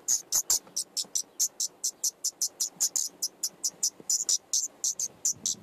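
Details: In an attic nest, five common nightingale chicks fed by both parents, May 2014, GoPro placed next to them: rapid string of piercing high sibilant notes, some doubled, around two or three per second.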